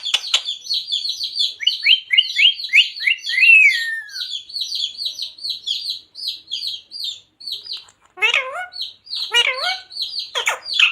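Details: Talking parrot that says "Radhe Radhe" and "Sita Ram". Dense, fast, high chirping fills most of the clip, then wavering voice-like phrases near the end with sharp squeaks between them.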